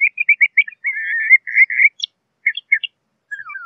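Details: A LeConte's thrasher delivers a quick series of short chips, then a longer burry warble, followed after a gap by a few sharp notes and descending slurred whistles; clean, quiet background.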